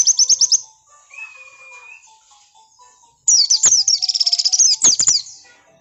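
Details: Song of an oriental white-eye, a lure meant to make other birds answer: a short fast twitter, a pause with one level whistle, then a long dense burst of high chattering trills.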